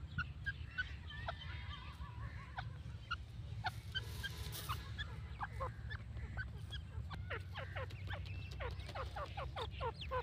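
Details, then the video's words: Grey francolin (dakhni teetar) giving sharp, squeaky chirps in quick, irregular bursts that grow busier toward the end, over a steady low mechanical hum. "dakhni teetar ki awaz| teetar ki awaaz"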